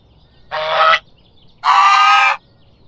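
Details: Farm goose giving two loud drawn-out nasal honks, the first short, the second longer at nearly a second, separated by a brief quiet gap.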